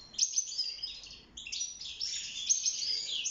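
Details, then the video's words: Short burst of European goldfinch song from a caged bird singing for mating and nest building: quick high twittered phrases, a brief pause near the middle, then a denser run of chirps and thin whistles. "روعة تغريد طائر الحسون البري (المقنين) داخل السلاكة"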